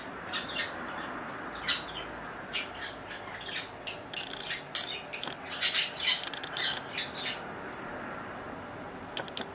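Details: Pet budgerigar named Piccolo, aged 3 years 5 months, chatters in quick, scratchy chirps and squawks, bursts coming irregularly about once a second, high-pitched and harsh, as the weather turns cold.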